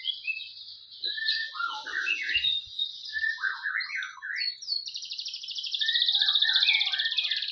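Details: Male white-rumped shama basking in the morning sun, singing a varied run of clear whistled phrases, quick slurred notes and rapid chattering trills, ending in a sustained, buzzy, high-pitched warble.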